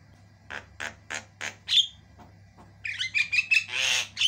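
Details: White-eyed Javan myna singing hard: four evenly spaced nasal croaks, a pause, then a fast run of shrill whistled and grating notes ending in a loud rasping burst, over a low hum.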